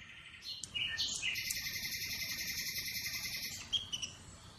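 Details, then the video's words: 1 "Atlantic Canary sings in an amazing voice"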